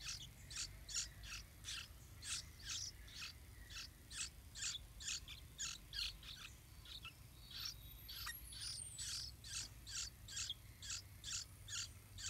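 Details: Yellow-vented bulbul nest with two big chicks almost able to fly, parents bringing food: sharp, high chirps repeated about twice a second in a steady run, with a brief descending twitter partway through.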